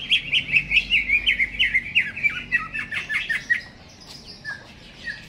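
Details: Greater green leafbird in a cage before hanging, singing a rapid chattering series of about fifteen sharp, rising-falling chirps for three and a half seconds, then scattered quieter whistled notes.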